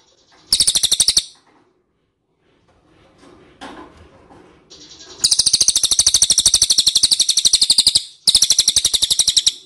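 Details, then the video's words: Ashy tailorbird lure call used to make other tailorbirds answer: bursts of rapid, high, sharp chip notes, about a dozen each second, a short burst then a long run after a quiet stretch with faint rustling. "PANCINGAN CILILIN DIJAMIN NYAHUT"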